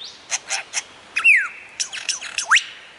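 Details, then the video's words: Lyrebird mimicry: three quick sharp chips, then a loud clear whistle sliding downward, a burst of rapid clicks, and a steep upward-sweeping whistle at the end. "Lir Kuşu / Taklitçi Kuş / Lyre Bird / Mimetic Bird"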